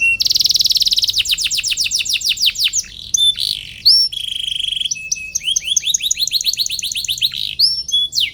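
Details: Canary in long, vigorous song used to stir lazy rival canaries into singing back: a loud opening trill, rapid down-slurred notes, a held whistled tone, then varied chirpy phrases and upward sweeps.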